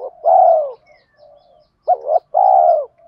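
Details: Male and female spotted doves calling, a recording used to stimulate birds in training; a long falling coo, a quiet softer coo, then a quick double note and another drawn-out descending coo.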